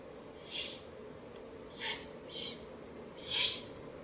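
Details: Owlets in a nest in a ruin on the night of 30 April to 1 May 2024, fed a rabbit by their mother; four breathy, hissing bursts of about a third of a second each, irregularly spaced, over a low steady background hum.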